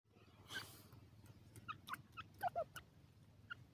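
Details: Grey francolin (dakhni teetar) chicks exploring their surroundings: short, sharp cheeping notes in scattered bursts, some higher and some lower, a few close together, over a steady low rumble and a brief soft rustle early on.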